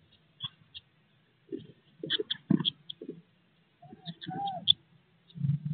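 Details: Eurasian blue tit babies, 16 days old, in their nest box shortly before fledging: bursts of high thin peeps mixed with a short downward whistled note and repeated rustling of moving chicks, over a faint hum.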